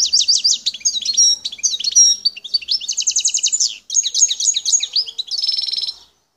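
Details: Continuous, lively song of a wild Algerian goldfinch from Bouteldja in El Tarf, Algeria: rapid tinkling and liquid notes, repeated slurred phrases and buzzy trills run for six seconds without a break.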